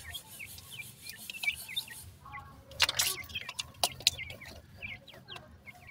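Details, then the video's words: Francolin chicks keep up rapid high peeps, short falling whistles repeated many times, interrupted midway by a burst of rustling noise and clicks. "topten teetar bird chicks,top dakhni teetar chicks awaz"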